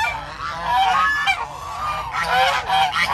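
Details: Geese in a flock roaming a park honk loudly and harshly, with overlapping nasal calls running almost continuously through the clip.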